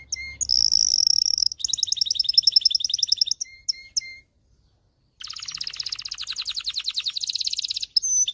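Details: A male canary sings a training and breeding-stimulation song of fast, bright trills and rolling tours, high and sweet, broken by a brief pause before another rapid rattling phrase.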